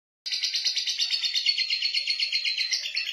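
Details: A female lovebird of a fighting type gives a continuous rapid chattering twitter, harsh and high-pitched, with notes pulsing quickly and evenly after a brief silence at the start.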